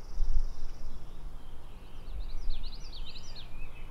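Male Brown-headed Cowbird: a thin, steady high whistle, then a quick run of squeaky, slurred up-and-down notes, faint over a steady low outdoor rumble.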